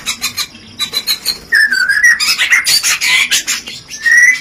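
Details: White-rumped shama rencetan song to trigger breeding desire: faint rapid ticking at first, then a wavering whistle and a fast, dense chatter of high notes ending on a rising whistle.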